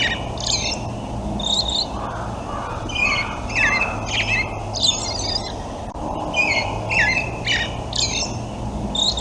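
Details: American Robin in a backyard in spring, singing short, bright caroling phrases roughly once a second, some slightly squeaky, over a low steady rumble of background noise.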